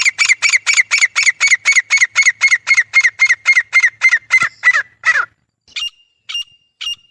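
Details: A pair of grey francolins (Ortygornis pondicerianus) call together with about twenty harsh, ringing notes, four a second, for five seconds, followed by a few thin, high whistled notes.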